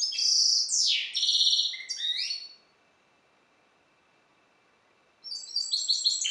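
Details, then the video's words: A hybrid (mule) of the goldfinch subspecies Carduelis carduelis balcanica sings a quick, twittering run of bright, liquid notes and buzzy trills, pauses for a few seconds, then resumes. "Singing the bastard Carduelis carduelis. Balcanika ( Śpiew bastarda po C.c. Balcanika )"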